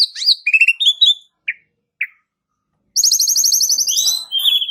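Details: A singing Asian pied starling, used as a playback to spur other birds: quick whistles and a short trill, two isolated whistled notes, then a long, fast, high rattle of rapidly repeated notes.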